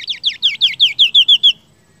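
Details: Seniper song used as a training recording for songbirds: a quick series of about ten sharp, downward-sweeping chirps, slightly slowing and shortening, over about one and a half seconds, then silence.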